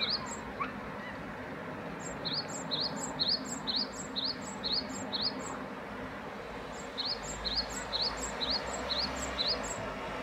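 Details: {'caption': 'Great tit producing two long series of see-sawing notes, a rising whistle then a sharp higher note, steadily repeated about twice per second, over faint background noise.'}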